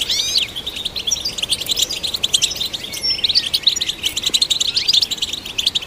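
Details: European goldfinch song, used to stimulate goldfinches: fast, liquid twittering of bright chirps and short rising and falling trills, with tinkling, buzzy notes running almost without pause.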